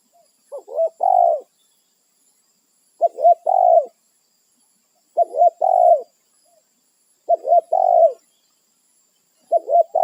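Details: Spotted dove calling to its companions in the wild, defending its territory: five steady cooing phrases, each two short coos and a longer slurred one, roughly every two seconds, in otherwise quiet surroundings.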